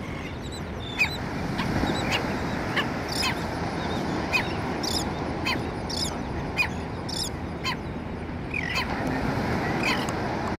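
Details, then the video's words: Black Skimmers on Siesta Key Beach, Sarasota, Florida: a young skimmer in front barks with adults behind, short nasal dog-like barks in irregular bursts about once a second over steady surf and wind. "Black Skimmer Barking"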